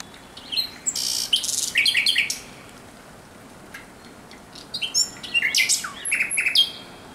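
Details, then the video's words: Thrush nightingale in nocturnal song, recorded 17 May 2023: a burst of harsh broadband notes and chattering, a two-second pause, then further clicking and whistled phrases. "Śpiew słowika rdzawego nocą."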